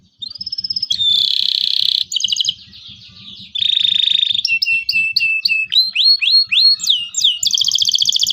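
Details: Local canary song used to coach young canaries: a rising whistle, dense buzzy rolls, then a series of quick upward-sweeping notes repeated several times a second and a final high buzzy trill, low thumping behind.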